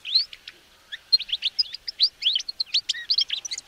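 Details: Male Atlantic canary delivering a quick, varied string of short, sharp chirps and upslurred whistled notes, densely packed and mid-to-high pitched, with a faint hiss in the background.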